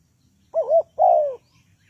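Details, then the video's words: A single phrase from a spotted dove used to lure birds into a trap: a quick double-humped coo, then a drawn-out, gradually falling coo. Quiet surroundings. "Tekukur pikat,Bẫy cu gáy bằng mồi"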